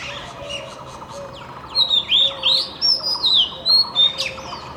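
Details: At morning, a magpie-robin gives a lively run of clear, slurred whistles, rising and falling in quick varied phrases, over faint background chirps and hum.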